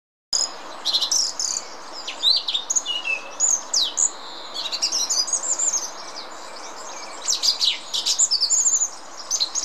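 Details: A single song thrush singing in the Botanical Garden in Munich. It delivers a rapid, varied string of sharp, high whistled and chattering phrases, many of them repeated in quick bursts, over a steady background hiss.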